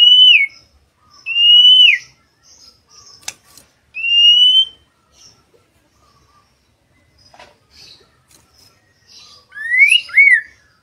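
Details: Master song of a white-rumped shama, played so other birds start singing: loud clear whistles that rise then drop, repeated with long silent gaps, ending with a quick rising-falling double phrase.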